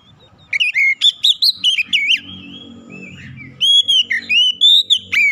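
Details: Lure song of an Oriental magpie-robin to get others singing: a steady series of loud, clear whistled notes with bending slurs, a brief quieter warble, then more ringing repeated whistles, low murmur underneath.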